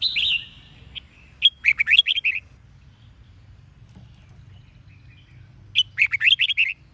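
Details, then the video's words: Red-whiskered bulbul singing the Vietnamese Sông Kôn song style with double twisted notes, used to train and stir wild-caught birds to sing. A long buzzy note opens, then two bursts of rapid rolling, warbled phrases about four seconds apart over quiet background. "Luyện Giọng Chào Mào SÔNG KÔN- ÂM XOẮN KÉP / Kích Bổi Hót"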